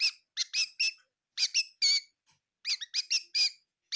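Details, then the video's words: Bird in a kitchen at Tseminyu, Kohima, giving scattered high, squeaky chirps, single notes and small clusters spaced unevenly over four seconds, in a quiet room. "Amazing bird in my kitchen chirping bird sounds of bird"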